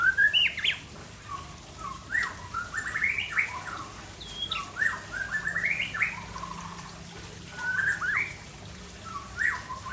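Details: Aceh white-rumped shama's relaxed afternoon song, a varied run of rich whistles and warbled rising-falling phrases in bursts, with a steady low hum beneath.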